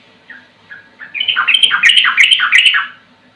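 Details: Sooty-headed bulbul (trucukan) in ropel-style song: a few soft, separate notes, then a rising, dense stream of chattering, slurred whistles that fades out after about three seconds.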